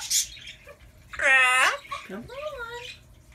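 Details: A chatty female pet Amazon parrot, asked if she is sleepy, talks: a brief high squeak, then a raspy, voice-like half-second phrase, followed by a lower swooping word that rises and falls; Amazon parrot.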